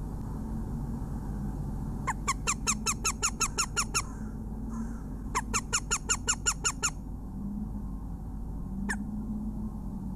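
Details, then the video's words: Female northern goshawk calling from her nest in Latvia on 21 February 2017 at 11:17, with crows nearby: two fast series of sharp, evenly repeated kek notes, each about two seconds long, then one lone note, over low background hum. "Latvian Goshawk Female in Nest calls Crows are near"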